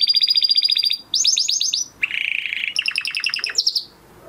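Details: Crested Spanish Timbrado canary, kept in a flock since its 2020 breeding, singing short bursts of training song: quick trills, slurred rising notes, a harsh buzzy rattle, then more bouncing trills before fading.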